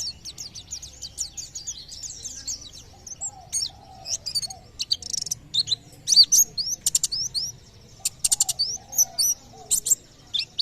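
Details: White-eye song, believed to coax nearby birds into singing: at first sparse, thin high chirps, then from the third second a dense run of very high, quick twittering and sharp vertical ticks. A faint lower warble sounds underneath.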